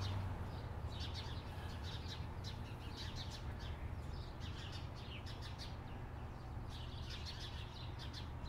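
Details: Sharp-shinned hawks, a pair lingering near a residential balcony at a road intersection, captured on a Zoom H6: quick runs of sharp, high, repeated notes in two bursts separated by a quieter gap, over a steady low rumble of car traffic.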